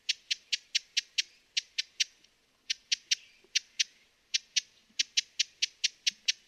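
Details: Broad-billed hummingbird uttering dry, snappy chip notes in quick bursts, about four per second, broken by a couple of short pauses; otherwise quiet.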